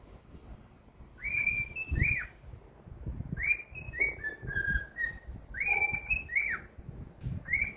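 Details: Cheerful pet cockatiel song made of repeated arching whistles, rising then dropping, in phrases with short gaps and light knocking noises underneath.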